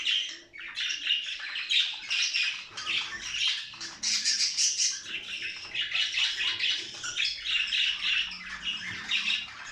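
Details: Budgerigars singing as they breed, a sound for encouraging other budgerigars to mate; an unbroken mass of overlapping chirps, squeaks and buzzy warbling, with brief louder high bursts.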